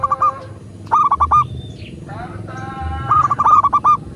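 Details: Zebra dove, local bird, cooing vigorously as a lure to get captive doves singing: two bubbling phrases of quick, evenly pitched pulsed notes, with a long buzzy harmonic call between them and a steady low hum beneath.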